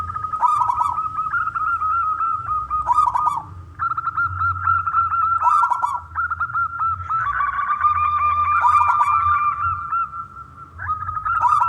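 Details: Local wild-type Zebra dove singing loudly and often, used to entice other doves to sing. A steady ringing tone is broken by rolling coos and trills, with short pauses between phrases and a low background rumble.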